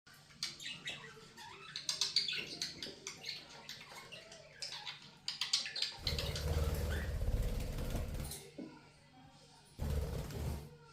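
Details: Pet budgerigars at bath and play time chatter in quick, scratchy chirps and warbles, broken by bursts of splashing water and fluttering wings.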